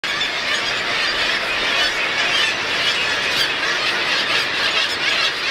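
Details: Black-legged kittiwakes (Rissa tridactyla) at their nests on East Amatuli, 28 August 2008: a dense, unbroken colony chorus of high squealing and squawking calls overlapping into a continuous clamour.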